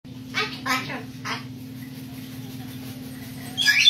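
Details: A pet umbrella cockatoo, hopping on a branch to mock its owner's warning that it would fall, gives three quick, hoarse, sarcastic laugh-like 'ha' syllables over a steady room hum, then a short harsh screech at the end.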